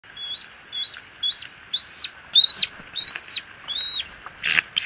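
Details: A bald eagle at the Fort St. Vrain eagle nest gives thin, squeaky high notes, each rising then falling, about eight in five seconds, followed by a brief scraping rustle.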